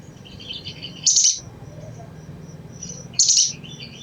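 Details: Crimson sunbird chatter used to provoke other sunbirds to sing: two sharp, high, buzzy chip bursts about two seconds apart, with faint high twitters and steady low background noise.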